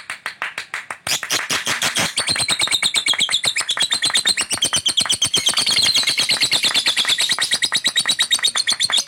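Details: Lovebird in fighter style, described as gacor, delivering a long rapid chattering burst of dense high notes, steady clicking strokes repeated about three per second under a continuous buzzy, trilling stream for over nine seconds, recorded indoors.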